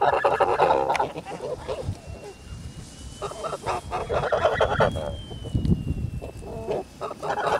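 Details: Kholmogory geese on a farm, recorded on 10 August 2017: harsh, nasal honks given in quick overlapping bursts by several birds, with a steady thin high whine running through the background.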